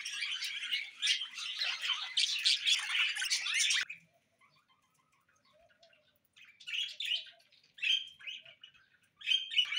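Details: Four seconds of busy, scratchy budgerigar warbling end abruptly in near silence. After that, scattered single chirps and short squeaky bursts follow at intervals of about one to two seconds.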